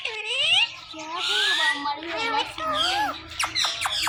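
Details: Indian ringneck parakeet pair kept as pets, male and female, in morning conversation. Mimicked speech-like warbles bend up and down, then sharp clicky calls come in a quick series at the end.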